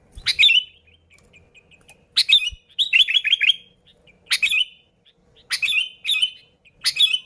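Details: Unaltered Sooty-headed bulbul song used to lure bulbuls: brisk sharp chirped phrases about once a second, one a fast rolling series of four bubbly notes, over a quiet background.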